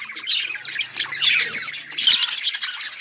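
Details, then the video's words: Budgerigars chirping together in a dense, overlapping chatter of high buzzy squawks and warbles, with louder bursts near the middle and end. "Budgies parrot beautiful colour budgies chirping sounds"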